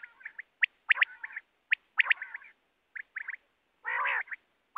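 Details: Quail heard in a net-hunting context: softer, rapid high notes in small groups and a longer harsh nasal note near the end, fairly quiet overall.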